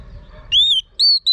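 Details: Three loud, pure whistles from a female Oriental magpie-robin trying to rouse a male to sing. The first note is long and gently arched, and two shorter ones follow quickly.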